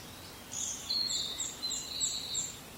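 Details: Japanese pygmy woodpecker, May 21, 2016, gives a seldom-heard thin, squeaky, buzzy series of about six high notes over two seconds, faint hiss behind; a second bird nearby called the same way, meaning unknown.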